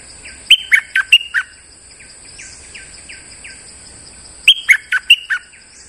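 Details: Lure bulbul song: two bursts of five loud, sharp chirped notes about four seconds apart, with fainter downslurred notes between them and a constant high background hiss.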